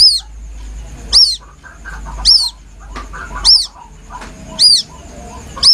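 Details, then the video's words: Young white-breasted waterhen's plaintive lure call: six high, sharp, arching peeps at a steady rate of about one per second, over a low hum and faint scattered chatter. "Suara anak burung ruak ruak asli nelangsa"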